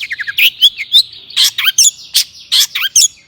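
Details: Excited long-tailed shrike singing as a provoking lure for other shrikes: rapid falling whistled notes followed by loud harsh chattering bursts mixed with curved high whistles.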